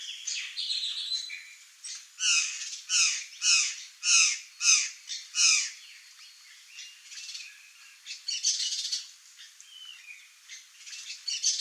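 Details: Curl-crested jay, wild, Brazil, open Cerrado or Caatinga habitat: six loud harsh squawking calls in quick series about every half second, then softer scattered notes and chatter.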